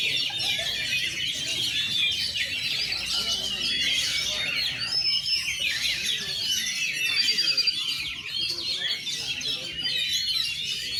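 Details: Oriental magpie-robin debuting at a song contest, fluffing its feathers, with shooting and running song styles; a long, unbroken chorus of fast high whistles, trills and chips from numerous birds.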